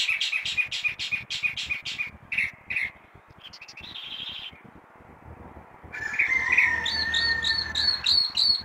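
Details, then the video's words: Chalk-browed mockingbird singing at six in the morning, quick repeated bright chirps, then a short buzzy burst and a pause before varied whistled phrases with fast sharp notes resume, over a faint background hum. "Sabia do campo cantando muito as 6 da manha"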